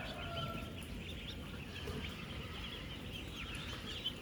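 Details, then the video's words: Ten-day-old ducklings in a huge flock of sixteen thousand on a duck farm, eating and moving about: steady, crowded high-pitched peeping with a faint drawn-out tone at the start and low background rumble. "16,000 Ducklings Making AMAZING Sounds!"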